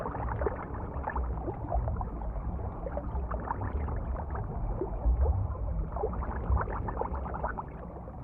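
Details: Water gurgles and splashes continuously, with no animal sounds.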